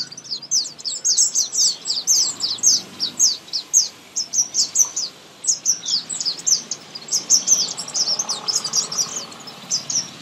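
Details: Chicks being fed keep up a continuous chorus of high, piercing chirps, fast and overlapping, through the whole recording.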